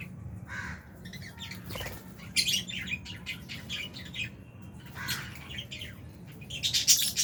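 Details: Quieter flock chatter from Albino and Fisher's lovebirds eating in an aviary with budgies: scattered thin chirps, with brighter shrill bursts every couple of seconds and a louder squeaky cluster at the close.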